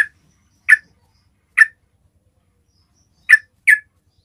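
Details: Yellow-vented bulbul calling to attract other bulbuls: five brief, rasping chips, a spaced pair followed by a close double, in an otherwise silent recording.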